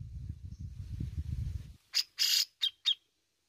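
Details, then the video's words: Grey-cheeked bulbul (cucak jenggot) giving besetan-style calls: after a low rumbling background fades, four harsh rasping bursts, the last two shorter and more tonal. "BESETAN DAN NGEPIKNYA OKEH BANGET ,REKOMENDED UNTUK PANCING BUNYI .CUCAK JENGGOT GACOR"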